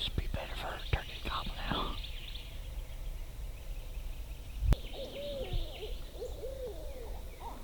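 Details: Several owls hooting on their own around a camp before dawn on a foggy early March morning in South Florida public land: a burst of raucous, cackling hoots, then wavering, quavering hoots, over a low steady hum.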